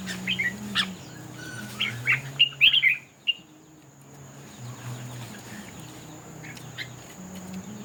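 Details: Red-whiskered bulbul in a singing contest: a few short, bright whistled notes and a quick cluster of chirpy phrases, rather soft, over a low steady hum, with quiet gaps between.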